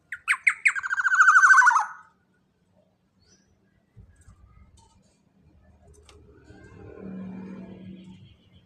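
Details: Black-naped oriole, big-bodied and loud, heard as a training lure: one rasping phrase of clipped notes sliding into a buzzy falling trill, then soft rustling and a low hum.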